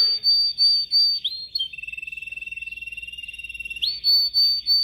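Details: Yellow canary kept in a cage, singing during training, phone-recorded on a Samsung S8 Plus: clear sustained high whistles give way to a long steady lower trill, then a rising sweep back to high whistled notes.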